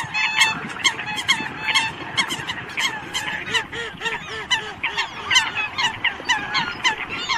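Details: Eurasian coots calling the flock: a dense, continuous chorus of overlapping honking and clucking calls from many birds, with a run of lower, rounded, repeated notes midway, all over steady background noise.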